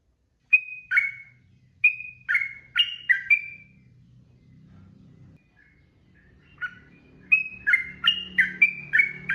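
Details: Long gacor 'ropel' singing of a Sooty-headed bulbul, meant to teach young and daily-kept birds: paired whistled notes in quick bursts, a short pause with a low hum behind, then another lively run of chattering whistles.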